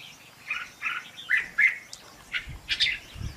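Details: Decoy and training recording of a red-whiskered bulbul singing in contest style: soft, separated whistled notes and short slurred phrases over a quiet, slightly rumbling background.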